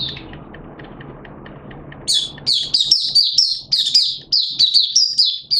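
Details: Malaysian Oriental white-eye (mata puteh), a hobby bird, in open 'buka sing' singing: after two seconds of low hum, rapid high, slurred chirping notes burst out in quick, uneven, twittering phrases.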